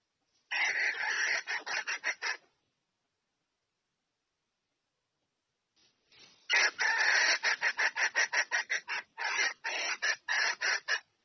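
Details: Red junglefowl hen calling to bring a rooster in to mate gives two bursts of harsh, rapid cackling notes, nearly three per second, separated by several seconds of silence.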